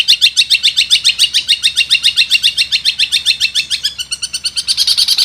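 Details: Long-tailed shrike master song for training other birds: a rapid, regular chattering trill, about three to four notes a second, that shifts into a higher, denser twitter toward the end.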